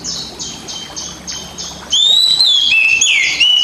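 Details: Pet kacer, an Oriental magpie-robin, in a cage, singing a basic master song for training quiet birds. Six high buzzy notes come roughly every half second, then a loud, clear, slurred whistled phrase.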